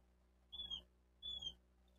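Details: Bald eagle at its nest in Miami-Dade County, Florida, recorded on 28 May 2023 by a nest camera: two clear, level, high whistled notes about 0.7 seconds apart, over faint low hum and rustling.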